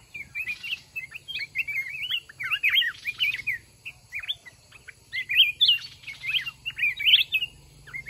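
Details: Wild mountain red-whiskered bulbuls sparring with a caged decoy at a lure trap; dense, continuous chattering of short whistled notes and quick upward slurs, with brief rustles among the calls.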